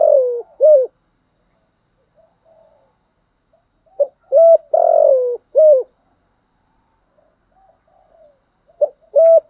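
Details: Spotted dove cooing, used to stir newly caught birds and train decoys: three separate phrases, each a short note, a long wavering hoarse coo and a final dipping note, with silent pauses of about three seconds between them.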